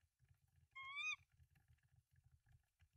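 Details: Tawny owl at a nest with three eggs in Denmark, March 2024, live nest camera: one short, loud, rising-then-falling harmonic squeal lasting about half a second, over a steady low mechanical hum.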